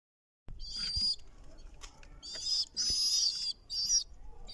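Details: Pigeon chicks in a loft giving thin, high-pitched squeaky begging bursts, about five wheezy squeals in four seconds, mixed with soft knocks and rustling from handling nearby.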